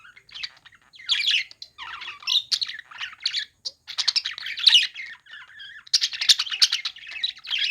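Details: Budgerigars chirping while playing: a steady stream of fast, scratchy twittering and warbled notes that grows busier and louder toward the end.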